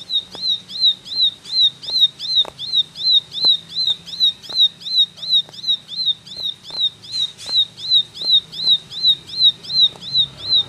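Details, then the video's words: Extended ciblek 'tembakan' song, a very regular rapid string of shrill high notes with a rising tail, roughly three per second, accompanied by faint clicks and low hum. "Tembakan Ciblek Gacor"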